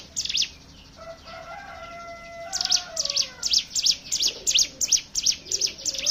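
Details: High chipping ngebren song of a hill prinia, meant to coax other birds to sing: a few opening chips, a lull filled by a lower sustained call, then a strong, rapid series of repeated sharp notes.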